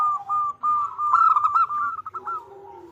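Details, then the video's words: Female zebra dove, a local perkutut, calling to a male, used as a lure to draw replies; a short run of soft, rapid cooing notes at one steady pitch, ending in a lower, fading coo. "Suara Perkutut Betina Memanggil Jantan - Pancingan Gacor || The female turtle dove calls the male"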